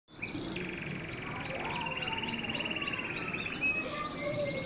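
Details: Roller canary singing a long continuous rolling trill of fast, even pulses held for several seconds, dipping slightly in pitch partway through, with a thin higher whistled line running above it over a soft low background hum.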